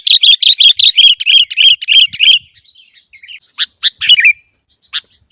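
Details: Sooty-headed bulbul (kutilang) in captivity, played to train birds to sing: a loud rolling series of quick, ringing chirps for two seconds, a soft twittering pause, then a few isolated sharp notes.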